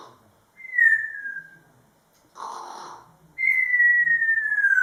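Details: A male pet grey parrot, dancing and singing, gives two long, clear whistles that slide gently downward, with a short, rough, breathy squawk between them.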